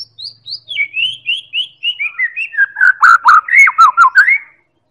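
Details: White-rumped shama of the Medan type in a lure recording to make other birds sing: a descending series of thin high whistles leading into loud, full slurred notes repeated quickly, then silence.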